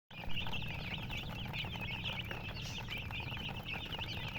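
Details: Chicks cheeping continuously in a dense chorus of rapid, high-pitched peeps, with a steady low background hum throughout.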